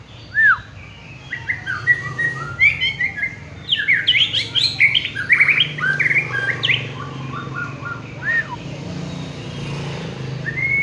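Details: Prize-winning contest white-rumped shama singing a rich, varied song of loud whistled notes, rising and falling slurs and quick chirping trills, with a steady low hum beneath.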